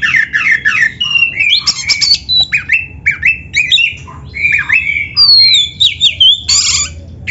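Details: Oriental magpie-robin in captivity, song played to train birds into full singing: rapid chattering phrases, rich whistled slurs, harsh squawky bursts and rising and falling notes, loud throughout.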